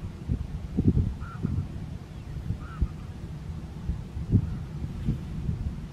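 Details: Two brief yelping calls of barnacle geese at Strijen, the Netherlands, on 4 November 2024, spaced about a second apart, set against loud low rumbling noise and thumps.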